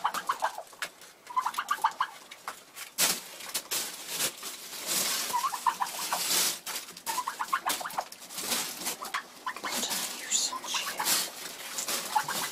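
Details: A frustrated broody Bronze turkey hen in February, possibly egg bound, giving short, repeated mid-pitched yelping notes in small clusters, set against heavy broadband noise and scratchy rustling.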